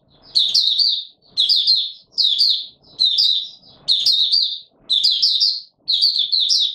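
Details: Warm humid weather, 20 March 2022: a white-eye repeats short bursts of high, jumbled chirping about once a second in buka sing, with faint low noises between the phrases.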